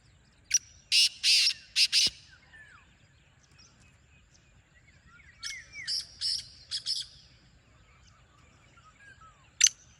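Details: Wild black francolin voice: an opening loud grating phrase of about five rasping notes, then a softer repeat of the same rhythm farther off, with thin chirps from small birds around.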